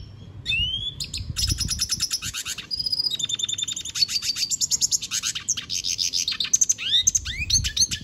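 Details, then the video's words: A lesser goldfinch ("pintassilgo da Venezuela") sings a long, rambling, high-pitched medley of rapid trills, sweet rising slurs and buzzy chatter, almost without pause, over a faint low rumble. "Pintassilgo cantando - Pintassilgo da venezuela cantando muito"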